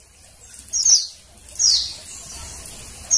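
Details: Female Oriental white-eye giving high, thin chirps that slide downward, three spaced notes about a second apart, used to stimulate males to sing; faint low background hum.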